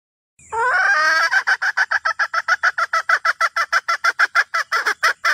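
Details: Red junglefowl hen call aimed at the rooster. A long wavering nasal note opens into a quick, continuous series of harsh clucks, about three each second, holding one pitch to the end. No other sounds.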